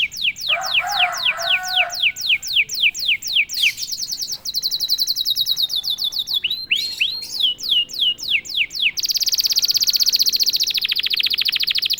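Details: Canary, silent until prompted once, singing a long varied song: repeated descending sweeps, a low burry phrase, fast high trills, curved chirps and a final loud buzzing roll.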